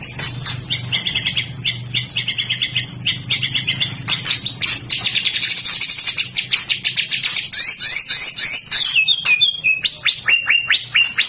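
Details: A White-rumped shama described as a mental fighter fit for contests pours out dense, very rapid chattering and clicking phrases, high and insistent, with stuttered notes repeated in quick bursts.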